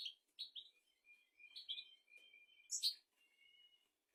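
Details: European goldfinch song, presented as a royal tutor song for teaching goldfinches and canaries: soft, thin whistled notes and short chirps, with a brief louder twittered burst near the end.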